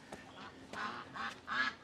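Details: Domestic ducks in a mountain village in Chongqing, China, where chickens and ducks are heard everywhere: several short nasal quacking bursts in quick succession, with faint human voices in the background.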